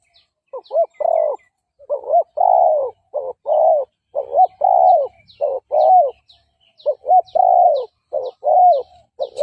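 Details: Long sequence of decoy spotted dove cooing to lure rival males into a fight: rhythmic, low, throaty coos in clustered phrases with brief pauses, accompanied by scattered faint high twitters of other birds.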